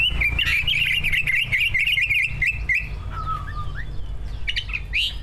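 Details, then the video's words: Rapid, twittering warble from two prize-winning captive greater green leafbirds, meant to prompt other birds to sing; dense fast phrases give way to a lower whistled slur and sparse high chirps. "Kicau burung cucak ijo gacor, prestasi, full masteran. buat pancingan dijamin ikut Gacor"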